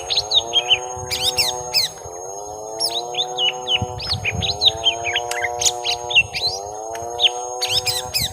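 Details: Lesser green leafbird, young, during a long fight with a rival: bursts of quick chattering notes and looping whistles, with bright high clicks, running over a constant low humming drone.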